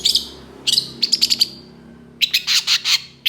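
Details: Long-tailed shrike in excited song, responding to other shrikes and full of coarse imitated notes: one rasping burst, a pause, four quick high chirps, another gap, then a harsh clustered outburst.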